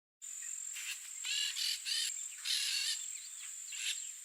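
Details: Turquoise-fronted amazon (Amazona aestiva), wild, in nesting season with a pair tending the nest surroundings in Brazil, gives a run of harsh, nasal squawks in short bursts, about one every half second, over a steady high insect whine.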